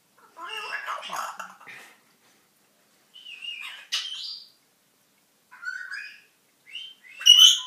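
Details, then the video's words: Captive African grey parrot, recently brought home, babbling in speech-like phrases: a garbled talking burst, then whistled rising notes and short chirps separated by quiet gaps, ending in a loud shrill whistle. "Edward the talking and singing African grey"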